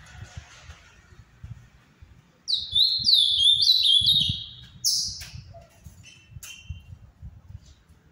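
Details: Legally kept Ultramarine grosbeak, Paraná type, whose song is deemed Brazil's finest; a clear two-second phrase of curling, downward-sliding whistles, then a sharp high note and short buzzy chips over soft low knocking.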